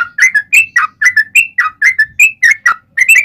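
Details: Yellow-vented bulbul singing a long, rapid fighting-mood 'ropel panjang' song: a steady run of liquid, bubbly chirps dipping and rising, about four notes a second, with a faint low hum beneath.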